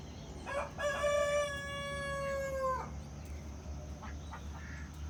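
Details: Farm rooster in Villeta, Colombia, giving a full crow: two short opening notes, then a long steady harmonic note that rises slightly at the end and cuts off, followed by faint distant calls and low rumble.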